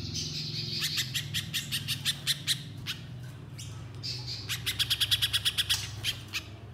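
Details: Little spiderhunter used as a lure for other spiderhunters: a thin, high trill, then scattered sharp chips and a fast rattling burst of high notes, over a noticeable low rumbling background.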